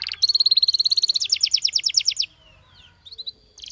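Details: Canary song opening with a single note, then an even, rapid high trill held for about a second, followed by a loud series of downswept strokes, then near silence with a few faint notes.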